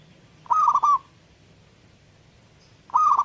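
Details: Zebra dove in full song, giving two quick trilled coo phrases about two and a half seconds apart, each a rapid burst of fluttering notes, over a low steady background hum.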